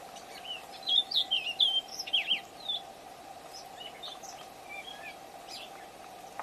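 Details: Gray catbird, heard but not seen, recorded 7/5/2025, giving a brief jumbled run of squeaky, warbled notes that rise and fall over about two seconds, then a few faint scattered chirps, all over a steady low droning hum.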